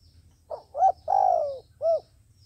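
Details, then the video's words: Trapping decoy dove coos once: a faint short note, a clear hoot, a long drawn coo falling in pitch, and a final rounded hoot, with a low hum beneath. "Tiến cu mồi gáy chuẩn, gọi là đếnh"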